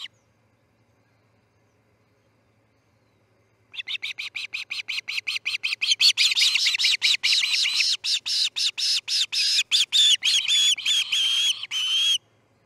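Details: Charlo osprey nest, August 10, 2018, 6:03 am, chick fledging: silence for nearly four seconds, then a long, rapid, loud series of high, shrill piping calls lasting about eight seconds before stopping abruptly.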